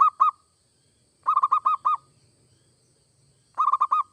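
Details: Local or Bangkok zebra dove (perkutut) in full voice, song meant to trigger other doves to sing: two coos, then two separate runs of five quick, bubbling notes with clean silence between.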